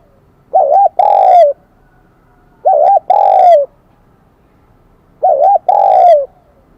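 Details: Spotted dove, a newly caught wild bird with the high Kim Đồng (bell) voice style, cooing loudly. Three phrases, about every 2.5 seconds: a quick double note, then a long, bright coo that falls at its end.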